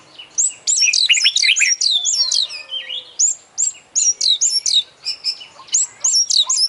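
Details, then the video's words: Oriental magpie-robin, an international champion competition bird, pouring out full filler song: dense, rapid, very high twittering and looping whistled notes that run almost without a break. "Full Isian Juara Internasional Burung KACER Gacor"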